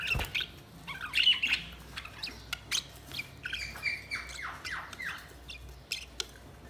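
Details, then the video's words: Chirping budgerigars: scattered sharp ticks and high twitters, then a run of descending slurred notes, over a low background hum. "Budgies Sounds| Budgies Chirping sound"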